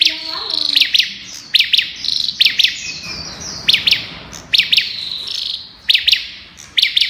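Olive-backed tailorbird song: loud, sharp high notes in rapid bursts of two or three, repeated about every second, with a faint whistled trill behind.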